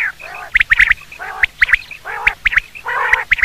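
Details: Common quail (batir) sounds used for hunting: rough nasal bursts alternating with short, piercing notes grouped in twos and threes, repeating about every second.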